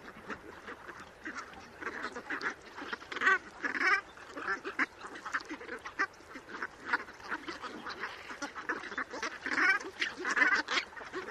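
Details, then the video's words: Brant goose (Branta bernicla) flock gives a steady chorus of low, guttural, rolling honks, many birds overlapping so the murmuring never stops. "Brant goose"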